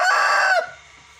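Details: Domestic rooster finishing a loud crow: a sustained, rich harmonic cry lasting just over half a second, ending with a falling drop, then quiet.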